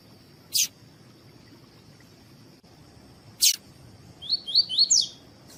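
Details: Caged male double-collared seedeater, tui tui style, with a female present to heat him up for tournaments. Two loud sharp clicks sound seconds apart, then a short phrase of four rising whistles closing in a higher buzzy twist.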